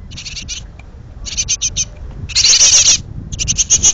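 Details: Hungry great tit young in a pollard willow, ready to leave the nest, give clusters of sharp, buzzy high notes, with one louder, longer burst at mid-clip; soft low background noise.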